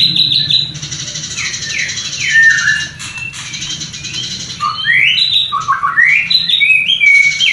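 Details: White-rumped shama mating song used to stir breeding desire in a new pair; falling whistled slurs in quick series, harsh buzzy stretches, then upward-sweeping whistles.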